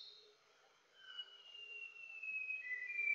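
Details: Philippine endemic White-browed shama of Greater Luzon: a single long, pure whistled note drifting gradually lower and growing louder, preceded by a brief higher whistle, with a quiet background.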